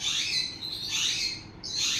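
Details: Sun conure parrots at play give harsh, raspy screeches, three drawn-out bursts in two seconds, high and broad with little low sound.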